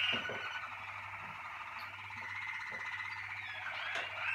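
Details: Malinois Waterslager canary from a 2019 team delivering an unbroken, dense rolling trill, gurgling and bubbling in tone, with small pitch swells and faint clicks, over a low constant hum.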